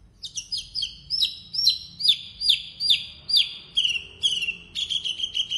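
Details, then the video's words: Energetic blorok Javan bush lark song: a string of repeated downslurred whistles, about two per second, gradually dropping in pitch and quickening toward the end. "Branjangan Javanica Blorok Gacor Full isian"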